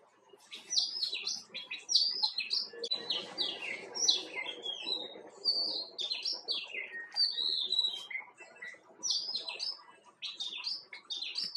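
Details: Himalayan bulbul, or white-cheeked bulbul, gives a near-continuous run of quick, sharp, warbled notes, often overlapping as if several birds call together, over soft rustling background noise.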